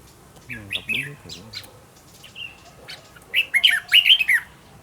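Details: Red-whiskered bulbul kept as a decoy bird in song training, giving short bright warbled phrases, rising and falling, in bursts near the start and a louder run at the end; a low voice-like sound overlaps the opening.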